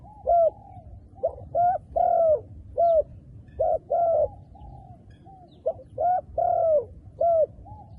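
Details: Wild dove, dark plumage, cooing in a steady series: three-part phrases of short hoots and a drawn-out falling coo, repeated about every two and a half seconds over a low background hum.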